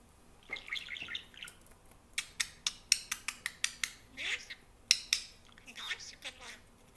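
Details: A pet budgerigar talks in a rapid, scratchy voice, mixing warbles with sharp clicks; recognisable words include "Bebo", "Dođi", "Deki", "Seko" and "Dušo".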